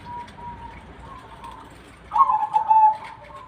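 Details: Zebra dove singing: after faint soft notes, a loud burst of rapid, slightly buzzy cooing notes in a steady, even-pitched phrase lasting about a second, then quiet.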